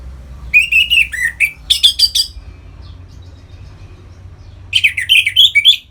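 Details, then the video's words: Orange-headed thrush singing ngeplong to excite captive birds into breeding condition: a fluid warbled phrase, then a clutch of quick bright notes, a pause, and a final rapid rippling series. "Suara Ngeplong ANIS MERAH Gacor Memancing Burung Agar Birahi dan Lanjut ke Tahap Teler"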